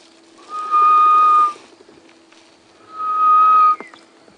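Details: A Grey-headed Bush-shrike calling far in the background on a rainy March morning safari drive at Djuma Game Reserve gives two long, level, mournful whistled hoots, each under a second, about two seconds apart, over a steady low engine hum.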